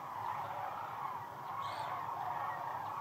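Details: Sandhill cranes by the hundreds of thousands on the Platte River during peak northern migration: an unbroken wall of overlapping rolling calls, with one brief higher call in the middle.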